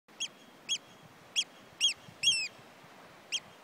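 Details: An oystercatcher, said to be male, in the Outer Hebrides, Scotland, gives loud, shrill piping notes, six in under four seconds at an uneven pace, one note drawn out and falling, over a soft background hiss.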